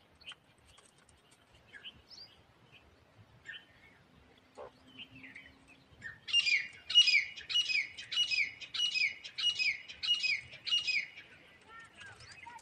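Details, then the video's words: Grey francolin, known locally as teetar, calling as a hunting lure. Soft chirps from other birds come first, then eight loud, rasping notes follow evenly at a steady pace of under a second each before fading. "तीतर की आवाज आहे रांटी.. 🔊🔊 chitracha awaaz aahe"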